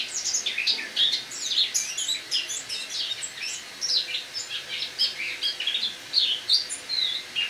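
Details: Indoor autumn song of a caged Eurasian blackcap, October morning: fast, jumbled chatter of high squeaky and whistled notes delivered in an unbroken flowing ramble.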